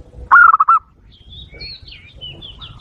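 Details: Zebra dove lure call aimed at wild doves: one loud burst of rapid, broken coos, followed by thin, wavering high whistles from other birds in the background.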